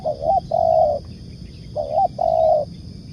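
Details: Spotted dove (tekukur) cooing in the "nekan"/"ngukuk" style, used as a bird-trapping lure: two phrases, each a short mellow note then a longer level coo, about 1.3 seconds apart, over a faint low hum.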